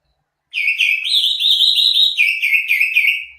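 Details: Greater green leafbird, locally cucak ijo, singing a continuous rich warbled phrase of slurred whistles that rise and fall, loud and unbroken for about three seconds.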